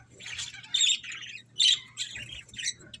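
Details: Budgies give short raspy squawks and chirps in quick, uneven bursts, with two sharper loud notes near the middle of the stretch.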